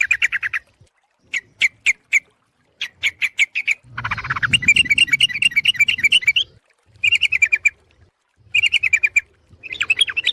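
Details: Yellow-vented bulbul calls used as a bird lure: clusters of rapid ringing notes, a long noisy stretch of continuous chatter with rumbling background, then more short chatter bursts.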